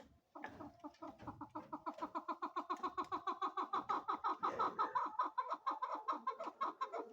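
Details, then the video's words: Female chukar partridge calling in a sustained series of repeated chuck notes, around eighty-five per minute, building slightly louder midway before continuing steadily. "Female chakor voice||Female chakor sound|| Chukar voice"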